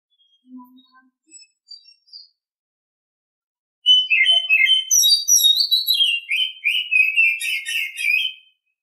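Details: Oriental magpie-robin (Copsychus saularis) singing in the morning: a few faint scattered notes, then a rich, continuous run of varied, sweet whistled phrases, some high and thin, others fuller and warbling.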